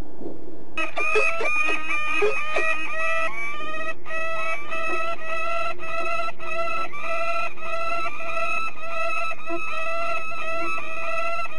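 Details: Peregrine falcon at De Mortel, Netherlands: a long series of harsh, strongly harmonic notes given in rapid succession, steady and insistent for about ten seconds, with a faint low background hum.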